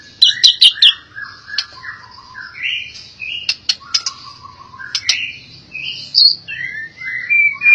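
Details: Albino white-rumped shama giving a rich varied song: low whistled slurs, rising and falling phrases, sharp clicking notes and scattered high chips, all in irregular rhythm.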